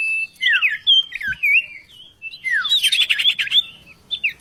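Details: Oriental magpie-robin song used as a vocal tutor: varied rich whistled phrases, slurring up and down, followed by a fast buzzy warbling passage and scattered notes.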